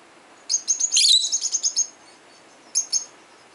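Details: Peach-faced lovebird, a 12-year-old pet bird, calling toward other lovebirds: a quick burst of sharp, high chirps over about a second, then two more short chirps after a pause.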